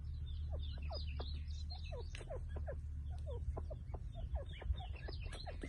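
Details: Partridge calling in a forest: a rapid, overlapping stream of short chirping notes sliding up and down, with a steady low hum underneath.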